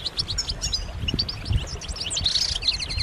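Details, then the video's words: Group calling of European goldfinches, mating calls that encourage a silent male to sing: a busy stream of high, liquid, twittering notes that grows denser toward the end, over noticeable low-pitched background noise. "بتبتات جماعية رهيبة للحسون فعالة في تحفيز الحسون على التغريد والهيجان"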